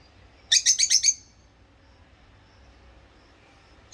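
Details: Rosy-faced lovebirds, a pair, chirping: a rapid run of five harsh, high chirps in about half a second, then a quiet gap before another chirp begins at the end.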